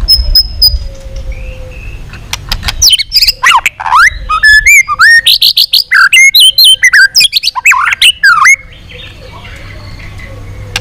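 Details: White-rumped shama in a long-string training song aimed at provoking other shamas: a quiet thin whistle opens, then a dense run of rapid, varied swooping whistles and chips before fading to background hum.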